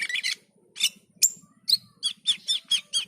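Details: Black-and-white bulbul (cucak keling) singing vigorously (gacor): short squeaky, scratchy high notes, a burst at the start then a rapid run of repeated chirps about every quarter second, over a faint steady low hum.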